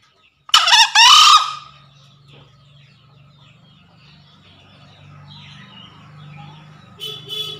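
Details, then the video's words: Male green junglefowl challenging a rival: one loud, hoarse, double-pulsed crow near the start, then a steady low hum with soft faint bird sounds and a brief buzzy sound at the end. "Suara Pikat Ahh Jantan Memanggil Lawan"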